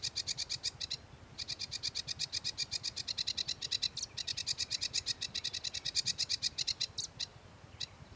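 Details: Sedge warbler giving an extended rhythmic chatter of fast, evenly repeated dry rasping notes, with a few sharper accented calls near the end and a low hum throughout.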